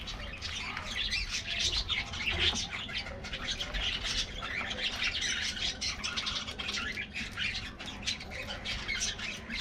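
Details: A colony of colorful budgies at their morning treat, a nonstop flock chatter of bright chirps, scratchy squawks and warbled notes layered together over a faint low hum.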